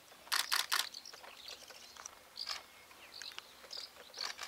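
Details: Asian house martin (Delichon dasypus) at Taiping Mountain Villa on 20 June 2015 gives short, high chirps every second or so, with a burst of camera-shutter clicks at the start.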